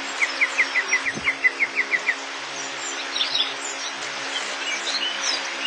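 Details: A crested bunting gives a rapid string of roughly ten sharp, evenly pitched chirps over two seconds. Then many other birds chatter and whistle through the rest of the recording, over a constant hiss.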